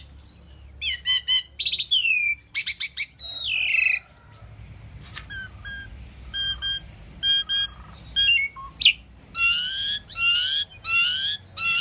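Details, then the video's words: An Asian pied starling chirping and singing: gliding, descending whistles and clipped chirps, interrupted by harsh scratchy notes, with a quiet stretch in the middle before bright, wavering whistled phrases return. "Asian Pied Starling Bird Singing and Chirping"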